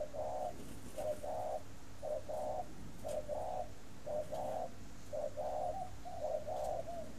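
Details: Breeding spotted dove in a cage at Ba Vì, northern Vietnam, cooing khách style: repeated two-part phrases, a short note then a longer one, roughly every second across the phrase.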